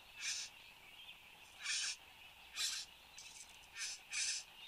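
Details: Satin bowerbird, a male, in Australia at 8:02am on 10 January 2015, giving harsh, hissing, buzzy bursts about a third of a second long, six in under five seconds at an uneven pace; no other sounds stand out.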